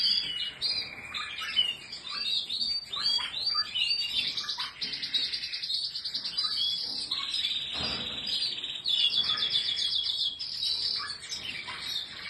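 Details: Canary singing at length, alternating rapid rattling trills, chirped notes and sustained high rolling tours, with one brief broadband click partway through.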